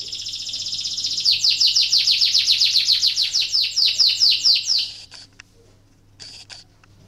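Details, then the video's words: Singing canary in breeding condition, whose song is used to stimulate other canaries to sing: a long, loud run of fast repeated downward-sweeping high notes, about four per second, ending abruptly, followed by a short buzzy burst. "PANCINGAN KENARI BIRAHI , AMPUH MERANGSANG KENARI IKUT BUNYI"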